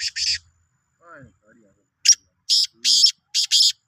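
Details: Black francolin from Sindh, recorded 16 March 2023: a two-note rasp, a soft human voice, then a fast run of five loud grating bursts.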